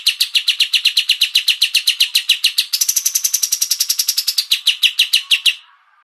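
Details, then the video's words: Cucak cungko bulbul in a bird-training song recording gives a fast run of bright, sharp chirps, about three or four a second, shifting to a higher, thinner note partway through before stopping. "CUCAK CUNGKO"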